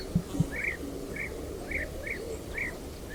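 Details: European Bee-eaters in Ukraine circling over their colony: short, rolling, liquid calls, about two per second, each slightly burred and mid-high, with two soft thumps at the start and a steady background hiss.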